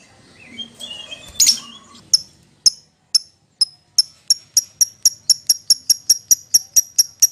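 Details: Lovebird calling its companion: after a brief rustle, sharp high chirps begin widely spaced then speed up into a steady fast series of evenly repeated notes.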